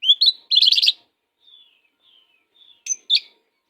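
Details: Fierce-singing oriental magpie-robin used as a tutor for other kacers: two rising whistles, a loud buzzy trill, faint thin whistles, then two sharp final notes.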